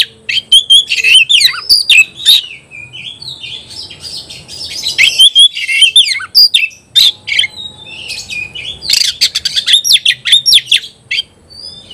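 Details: Oriental magpie-robin singing against a rival: varied whistled phrases, rising and falling, interleaved with scratchy chips and brief quiet gaps over twelve seconds.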